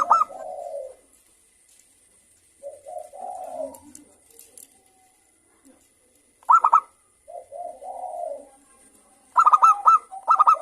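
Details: Local zebra doves answering one another, played as a lure to prompt another dove to sing: soft low purring coos alternate with short bursts of sharp, ringing, stuttered coo notes, separated by quiet pauses, with a faint steady high hiss.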